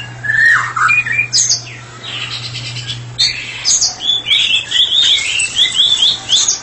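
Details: Singing ngeplong, a therapy-specialist white-rumped shama gives clear falling whistles, then a run of quick rising and falling whistled notes, with a steady low hum in the background.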